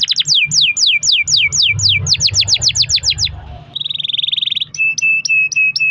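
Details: Canary song played to stir other canaries into singing: about a dozen rapid downslurred whistles in sequence, a brief steady trill, then short flat clipped notes.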